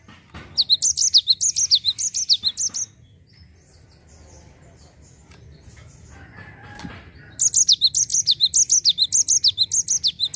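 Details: Ngerol rolling song by a Java sparrow, intended to get untrained birds singing. A fast two-second string of high falling notes, a pause with a faint flutter and click, then a longer three-second string of the same notes.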